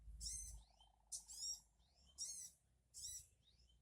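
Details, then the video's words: Sogon calling to provoke an answering bird: four rough, hoarse, rasping screeches about once every second, each followed by a faint thinner squeal, with a low steady hum underneath. "Burung sogon Dijamin 3menit sogon anda akan nyaut"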